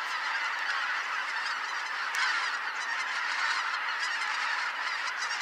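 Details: Flock of greater white-fronted geese arriving to roost at Kotomo Pond, Japan, on 13 October 2019 at dusk, twenty minutes after sunset: a dense, continuous chorus of overlapping honking and yelping calls from many birds, steady throughout.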